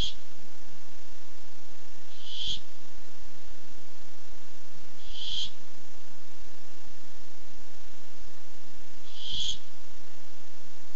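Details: Barn owl, recorded 8-7-15 while looking for food, gives four harsh wheezy screeches spaced about two to three and a half seconds apart, each short and noisy, over faint low hum.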